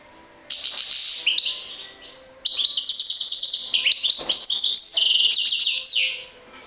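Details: A European goldfinch gives a long, lively stream of high, rapid twittering notes. The notes are mixed with tinkling trills and buzzy chirps, with a brief break near the start.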